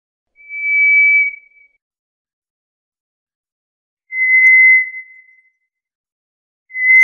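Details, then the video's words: White's thrush, also called White's ground thrush, a bird of deciduous and scrub forest, giving its eerie song: long, pure, level whistles, each about a second, separated by gaps of roughly three seconds, with no other sounds. "White's ground thrush #birdsong 호랑지빠귀 소리"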